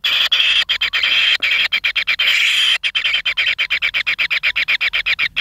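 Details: A nest of kingfisher nestlings wanting food, pin feathers starting, sustain a rasping churr that breaks into fast rhythmic pulses, about four per second, toward the end.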